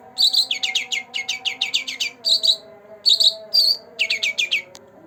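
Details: Two-month-old green leafbird singing rapidly: runs of sharp down-slurred chirps, roughly eight per second, alternating with brief whistled notes, over a faint steady hum.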